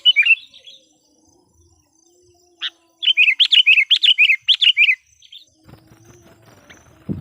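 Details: Sooty-headed bulbul serving as a decoy to call wild kutilang: a brief opening phrase, then a loud two-second run of rapid, bubbly, repeated notes. Rustling and knocking noises follow at the end.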